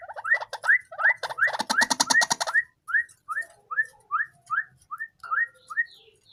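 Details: White-breasted waterhen, tame and raised from a chick, calling at any time: a burst of harsh rhythmic croaks, then a steady series of rising upslurred notes with soft lower follow-ups.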